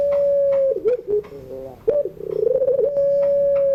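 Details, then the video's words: Puter pelung (Barbary dove) cooing in the afternoon as a tutor recording for learning birds: an already sustained low note breaks into choppy rolled coos, a pause, then a bubbling trill settling into another long steady tone. "tangisan suara puter pelung sore hari"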